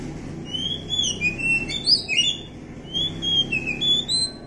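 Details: Wild Oriental magpie-robin giving sweet whistled notes that rise and fall, with a few sharp chirps, over a steady murmur of background noise.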